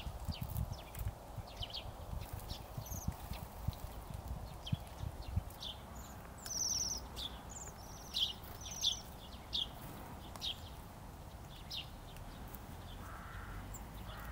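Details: Bohemian waxwings recorded in Iecava, Latvia give thin, very high, buzzy trills in scattered short bursts, loosest in the middle, with low thumps and rumbling underneath.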